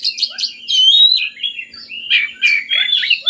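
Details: Energetic oriental magpie-robin song played to get lazy birds singing: quick chips leading into sweet, slurred whistles and rolling warbles with a few scratchy accents.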